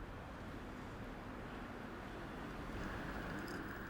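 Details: Steady rumbling traffic and wind noise from an urban setting, with no animal calls.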